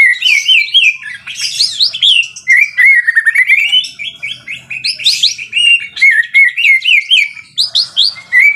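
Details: Energetic white-rumped shama singing continuously, stringing together fast whistled trills, upslurred and downslurred notes and chattering bursts in quick succession, phrases repeating in varied order with no pauses; faint low rumble underneath.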